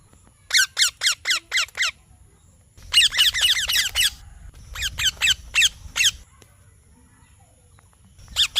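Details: Parrot gives a fast series of harsh falling chirps, then a dense overlapping burst, more short runs, a long silence and a final chirp at the end.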